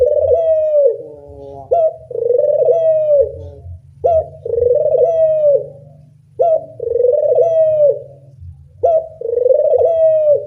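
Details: Puter dove lure calling loudly: five repeated phrases, each a clipped rising note and then a long, steady coo dropping at its close, roughly every two and a half seconds, over a continuous low hum.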